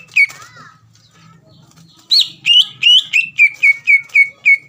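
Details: A greater green leafbird sings to provoke a rival, opening with one chirp and a soft pause, then a steady run of ringing, falling whistles at about four per second.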